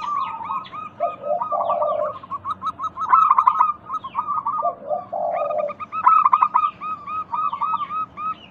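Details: Local Indonesian zebra dove song used as a lure to prompt sluggish doves to call: rapid staccato bubbling coos near one pitch, alternating with lower, hoarse, drawn-out purring phrases, the sequence repeating twice over a faint background hum.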